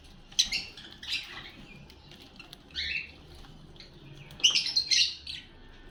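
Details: Lovebirds kept as pets, eating food and calling: scattered bursts of shrill, squeaky chirps, a rising squeal near three seconds and a louder chattering cluster toward the end, with quiet gaps between.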